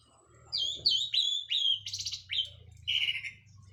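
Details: Short burst from a freshly moulted Cililin orange-headed thrush: a quick series of downward-sliding whistled notes, then a rasping buzzy note and a final trill, clear and open in tone, with faint low background hum.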